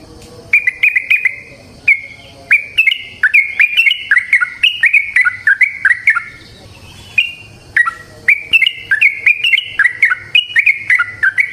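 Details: Energetic yellow-vented bulbul song used as a lure for other bulbuls: long sequences of liquid, bubbling whistles in quick clusters, with brief pauses between bursts and a faint low background hum.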